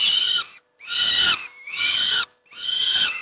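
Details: Peregrine falcon youngsters at Moszna, Pruszków, fed their breakfast, uttering three loud, rasping begging screeches, each roughly half a second to a second long with short silent breaks between.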